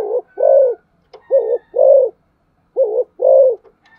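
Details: Spotted dove in rapid thúc gù cooing. Loud coos come in pairs: a short note, then a longer throbbing one. Three pairs follow closely, with a faint higher whistle between them.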